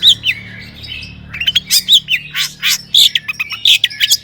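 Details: Long-tailed shrike singing to goad other shrikes into song. Short looping whistles open the phrase, then a choppy series of harsh chips and squeaky notes follows.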